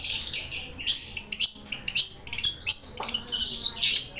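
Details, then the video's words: Caged long-tailed shrike, billed as a contest-cage champion, delivers harsh squawky chatter mixed with quick, high trilled runs and scratchy notes in varied short phrases, with one brief gap. "Burung kicau raja gantangan | Pentet DM"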